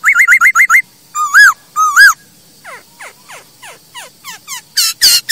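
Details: Masked laughingthrush singing, recorded to train other birds: a fast burst of repeated whistled notes, two loud looping whistles, a string of soft down-slurred notes, and a harsh chattering burst at the end.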